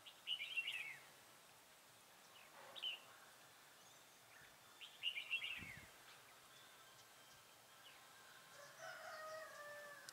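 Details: Decoy red-whiskered bulbul at a trap set to lure wild birds on 27/11/2017, giving short bubbling warbled phrases spaced a few seconds apart, with other faint chirps, a low thump and a background whine.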